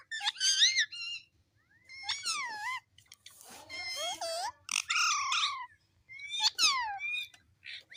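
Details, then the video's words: Talking pet parrot mimicking its name: loud harmonic, wavering speech-like phrases with sweeping pitch, a raspy noisy stretch in the middle, then clearer calls and a short high tail. "Mitthu Mitthu Talking Parrot"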